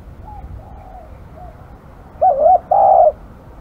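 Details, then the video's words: Faint distant coos lead into a loud wavering double coo from a spotted dove, described as aggressive. A long, steady, buzzy note follows in a quiet setting. "burung terkukur kg galak"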